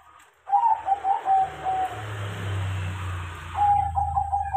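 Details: Crossbred zebra dove, trained to sing, giving clear pulsing coos at the start and end while a loud, steady rushing noise fills the middle.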